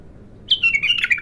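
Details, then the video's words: A raw bulbul in its first song: one brief, bright phrase that opens with a high note and slides down into a bubbling, slightly rasping warble. "تغريد الابتر خام اول فتحـه له"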